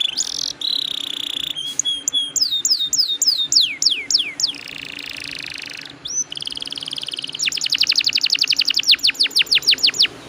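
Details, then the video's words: Vigorous canary singing long rolls to lure other canaries: mixed buzzy trills and steady whistles, a run of down-slurred notes, a harsh buzz, then a long, fast and loud repeated chirping trill. "PANCINGAN KENARI GACOR NGEROLL PANJANG"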